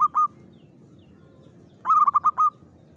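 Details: Lure song of a local zebra dove in Mataram pakem rhythm: the tail of one phrase, a pause, then a quick run of five staccato coos, with faint low background noise.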